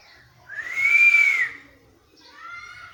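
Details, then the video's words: A single long arched whistle from a talking parrot, rising and falling gently, followed by a quieter steady harmonic note. "Parrot talking in cat voice"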